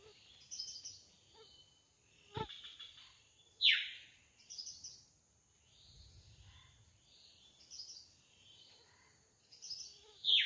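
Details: Wild drongo in lively song: a varied mix of high twittering phrases and two loud, plunging whistled notes, with a sharp click or snap early on and soft low rumbles beneath.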